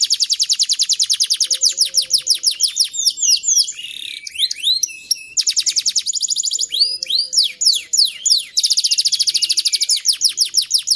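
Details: Canary song used as a master recording to teach young canaries to sing often and in long rolls: fast buzzy trills of rapidly repeated high notes, broken around the middle by sweeping, slurred whistles, then rapid trilling resumes.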